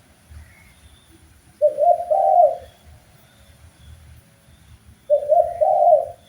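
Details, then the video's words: Master recording of a spotted dove for training birds, giving two matching phrases of a short coo running into a longer rolling coo, spaced about three and a half seconds apart, over low background noise. "MASTERAN BUAT BURUNG TEKUKUR SUPAYA GAC0R DAN BERGAIR4H"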